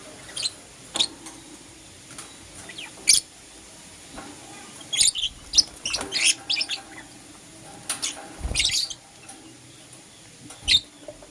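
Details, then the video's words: Morning chirping of lovebirds, a green Personata and a yellow pastel pied: bright, high chirps and squeaky notes in irregular bursts, some quick runs, a soft flutter near the end. "Lovebird Chirping Sounds"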